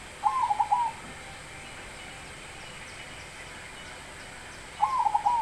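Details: Zebra dove said to have a big voice, repeating its brief rolling coo phrase twice, roughly four and a half seconds apart, each several quick notes ending in a slight drop, against a steady low background noise.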